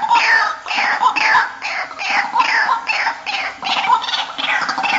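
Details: White-breasted waterhen daytime lure call: harsh, nasal, falling croaks, about one every half second, in a steady run with no pause.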